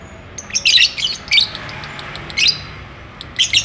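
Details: Lovebirds courting and wanting to mate, chattering nonstop: short, shrill, high chirps in clustered bursts, a busy run near the start, a single burst mid-clip and another at the end, over quiet background hiss.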